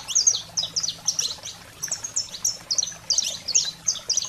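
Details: Saffron finch (canário-da-terra) 'fogo selvagem' song, played to fire up canaries: high chips alternating with short flat whistled notes in quick spaced groups, a faint low hum underneath.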